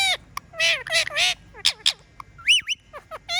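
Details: Talking pet parrot mixing speech-like syllables with whistles: several gravelly word-like bursts, a few short clipped notes, then a looping up-and-down whistle and quick falling chirps.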